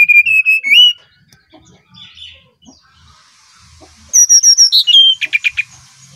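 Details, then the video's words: Brown-chested jungle flycatcher from Bali, song used as a lure for training other birds: a pure whistled phrase near steady pitch with a rising end, a pause, then a burst of high descending whistles and rapid chirping notes. "Burung Sikatan Rimba Dada Coklat Bali Gacor Nyuling Untuk Pancingan SRDC"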